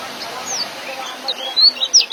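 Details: Young white-eye in ngeriwik style, used as a tutor for caged birds: a few thin, high, sweeping whistles, then three or four sharp, loud chirps at the close, over a steady background hiss.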